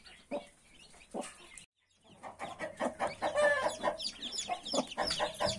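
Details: Broody mother hen with 31 newborn chicks: a few low clucks, a short silence, then a dense run of chick peeps, rising and falling, repeated rapidly over steady clucking.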